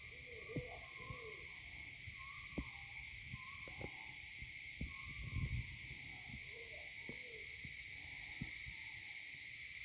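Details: Maleo calling on Sarva Island, Kampung Ugar, captured by phone camera: short hooted notes in pairs and small groups at two pitches, repeated through the recording over a constant buzzing insect chorus, with occasional thumps.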